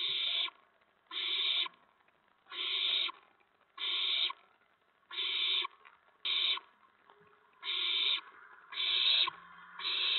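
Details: Owls at their nest around 8 PM on April 19, 2017, as parents bring food for the owlets. Steady run of nine rasping hiss-screeches, about one every 1.3 seconds, with faint clicks between them.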